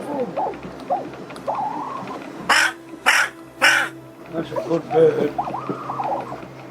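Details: Very young crow, blown down in a storm and taken in with injured wings and a throat damaged by a cat, making its first sounds: three harsh, broad caws in quick succession, with a person talking softly before and after.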